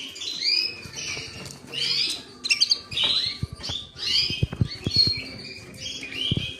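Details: Creamino canary giving a run of short, bright chirped and warbled phrases, each burst lasting about half a second and repeated roughly every second, with sharp low clicks and taps between phrases near the end.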